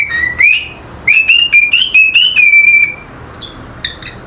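A cockatiel whistles a bright tune of clear, sliding notes that climb and then hold steady.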